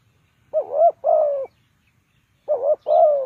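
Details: Spotted dove decoy for bird trapping gives paired coos, each pair a dipping note followed by a longer even coo, repeated after a two-second gap, over faint background rustle.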